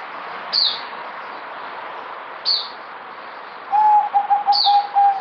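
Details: Merbok, or zebra dove, a kept bird given multivitamins, 2020: a quick stuttering series of steady-pitched coo notes closes the recording, following repeated high, sharp falling chirps from nearby birds.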